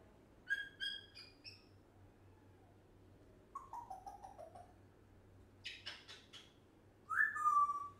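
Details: A year-old African grey parrot kept as a pet and talking non-stop gives a mix of short stuttered chirps, a descending string of soft notes, clustered clicks and a final bright slurred whistle.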